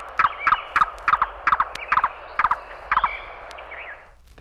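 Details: Yellow-billed Cuckoo, from a 1961 audio field guide to eastern and central North American birds, gives a run of hollow, wooden clucks, often doubled, about three a second for four seconds, with a faint hiss behind.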